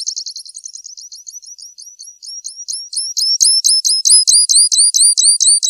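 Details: Grassland yellow finch (Sicalis luteola) singing a long, high, unbroken run: a fast buzzy trill of thin chips gives way to clearer, louder hooked notes repeated about four times a second, building in volume toward the end; no other sounds.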